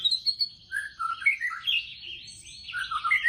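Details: White-rumped shama (murai batu) in 'tembakan' singing: clear high whistle leading into a string of varied, quickly alternating whistled and slurred notes, ending in rapid chirps.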